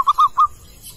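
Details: A wild male zebra dove (Geopelia striata) calling: three quick, soft, mid-pitched cooing notes in about half a second, then silence against faint background hiss.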